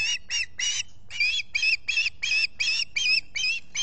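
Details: Osprey at a nest in Salt Point, Finger Lakes, US, on a July 2021 morning, squawking while its mate preens: about a dozen harsh, high, ringing notes in a fast series, roughly three per second.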